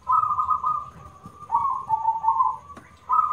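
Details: Local zebra dove with a loud voice: long rolling trilled coos, slightly wavering in pitch, with a short click near the end.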